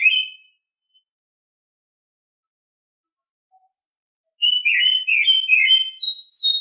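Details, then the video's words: Oriental Magpie-Robin in the morning: a brief whistle, a long silence, then a burst of rapid, rich warbling and high whistled notes running to the end. "Nghe chim chích chòe than hót hay mỗi sáng"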